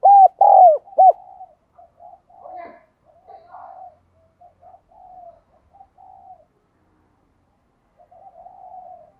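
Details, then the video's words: Spotted dove used as a lure bird, cooing and calling: three loud, low, arched coos open the clip, followed by quieter rolling coo phrases and softer murmurs, with faint silent stretches between. "Chim Cu Mồi Thúc Gù Và Gáy Gọi"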